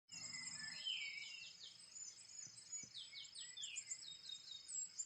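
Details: Dawn chorus at sunrise on Mt. Puluy: several small birds with quick high chirps, short downslurred notes and overlapping trills, over a steady thin high whine and soft rustling.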